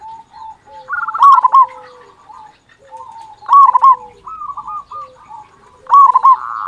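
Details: Local zebra dove cooing loudly to prompt other doves to sing: phrases every two to three seconds, each a stuttering cluster of rolling coos followed by softer trailing notes, in a quiet setting.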